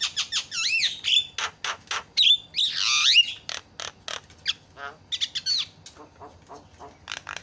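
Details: A Javan myna lure meant to make other birds call: swooping whistles and a long harsh wheeze give way to a series of dry rasping notes, fading toward the end.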